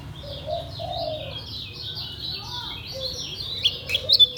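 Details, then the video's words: Caged white-eye, known locally as kecial kuning Lombok, singing in the continuous ngejos style: quick high, thin, slurred chirps running together, with a low soft cooing whistle underneath early on and sharper clicks near the end. "SUARA KECIAL KUNING LOMBOK NGEJOS SELOW"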